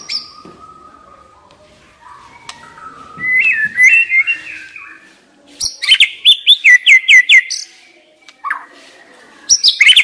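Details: Decoy white-rumped shama in full song, mixing low whistled phrases with a fast series of about eight sharp, repeated slurred notes, then further bright whistled bursts.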